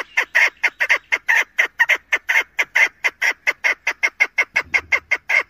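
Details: Chukar hen call for hunting: rapid rhythmic chuck notes, each a brief hoarse burst, repeated evenly several times per second over a quiet background.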